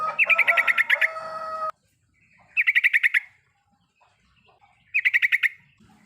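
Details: Trucukan (yellow-vented bulbul) full riwikan lure: three evenly spaced bursts of quick chattering notes, the first backed by a steady hum.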